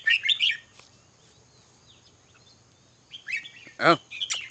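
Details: Red-whiskered bulbul singing short, bright warbled phrases in the upper-middle register, a quick burst at the start, then a long quiet pause before more chattering notes and a sharp click near the end.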